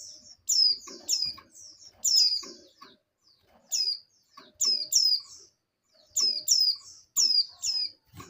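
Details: Oriental white-eye females in breeding condition answering each other, calling the male; clusters of high, thin downslurred chirps in pairs and triplets, repeated every second or so, with fainter trailing twitters between.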